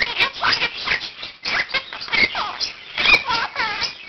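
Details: A year-old Quaker parakeet at home at seven in the morning runs through learned words and phrases as a daily wake-up call, other room birds joining; dense rasping squawks and garbled chatter tumble out in quick uneven bursts.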